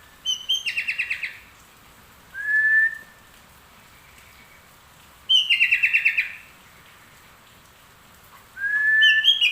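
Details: Singing sooty-headed bulbul in full voice, mixing straw-headed bulbul (trucuk) phrases into its song. Rapid bubbling phrases of about six quick chirps alternate with smooth, slightly rising whistles, the pattern repeating roughly every three seconds in a quiet setting.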